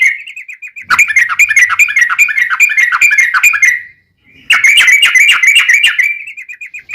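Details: Yellow-vented bulbul with 'tembus-tembus' and straw-headed-bulbul-like phrases, used as a tutor and lure for kept birds. Dense bursts of rapid, ringing, chattering notes are split by a brief pause.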